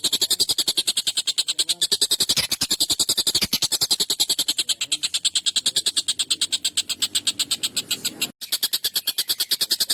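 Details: Excited, long, sharp and harsh calling of a collared kingfisher, used to train songbirds. An unbroken chain of fast, grating notes repeats steadily for ten seconds, with a brief cut near the end.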